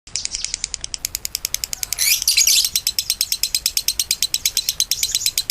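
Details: Lovebird in long, sustained konslet song, kept for training other songbirds: a rapid stream of harsh, high chattering pulses about eight per second, with a dense rasping burst in the middle.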